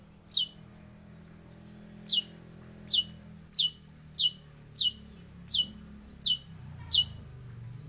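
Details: Long-tailed shrike giving sparrow and prinia imitations; crisp, downslurred high chirps repeated steadily about every three-quarters of a second after an opening gap, over a faint low background hum.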